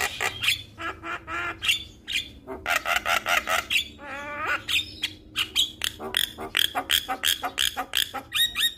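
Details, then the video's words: Male Javan myna singing vigorously so other mynas start singing; dense harsh squawks and chattering notes, a descending rattled series midway, and rhythmic bursts to the end. "Suara Jalak Kebo Jantan Gacor Bikin Burung jalak yang Dengar Ikut Buka Suara"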